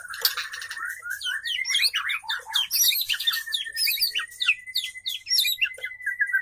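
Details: A female white-rumped shama calls for a male with busy chattering twitters over a long, steady, slightly wavering whistle held for several seconds.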